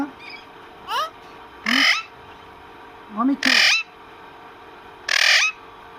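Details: Pet parrot talking with its owner, giving short harsh squawky utterances and rising whistled slides, four bursts spaced over a few seconds in a quiet room.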